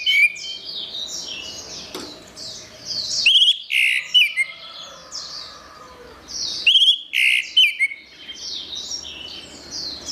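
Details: Orange-headed thrush song used as therapy for birds that have stopped singing: two loud bursts of rich, varied whistled notes about three seconds apart. A steady background chatter of high, repeated chirps runs throughout.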